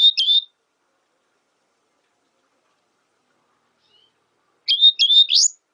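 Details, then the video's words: High twittering song of a Black siskin: a quick trilled phrase, a long silence, then a longer rapid series of sharp, rising chirps. "Negrillo Boliviano! Llamado! Sonido! Cantando! - Black Siskin Song - Spinus Atratus"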